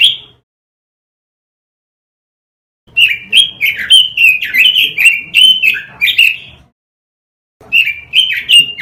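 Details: Robin song used as a masteran, a lure recording for training caged birds: a brief note, then a burst of rapid, slurred, warbling whistles rising and falling, pausing before another quick phrase.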